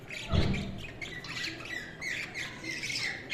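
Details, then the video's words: Budgerigars chirping: a steady stream of short, bright chirps and warbles repeated several times a second, with a louder rough squawk near the start and some low thumps. "Budgies Chirping sound"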